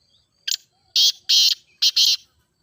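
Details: Grey francolin, known locally as teetar, with a loud ringing call: a short lead note followed by three harsh, buzzy notes in quick succession, used for training francolins to call.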